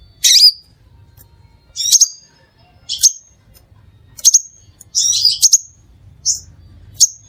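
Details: Crimson Sunbird (Aethopyga siparaja) giving sharp, very high, sizzling chips and short trills, about one burst per second, with brief pauses between.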